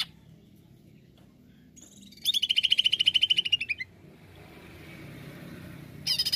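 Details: Greater green leafbird in 'nembak' song style as a lure: after a quiet start, a long fast pulsed trill of about twenty notes, slightly falling in pitch at the end, then silence and a short harsh burst.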